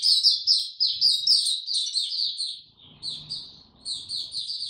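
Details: White-eye singing in warm, very humid conditions on 26 March 2022: fast, bright twittering phrases, a short pause near the middle, then the high warbling resumes over faint low rumble.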